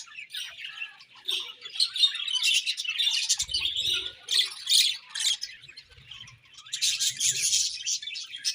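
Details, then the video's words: Several pet budgies chirping in the morning, a continuous, uneven warble of high, scratchy twitters rising and falling in loudness, with faint low bumps. "Beautiful Budgies Morning Chirping Sounds"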